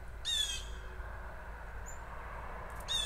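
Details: A blue jay at a feeder gives two harsh, nasal squawks about two and a half seconds apart over a steady low rumble.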